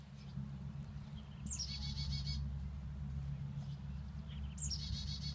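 Chickadee chicks give two bursts of high, raspy, buzzing begging calls, each opening with a sharp squeak, over a steady low hum.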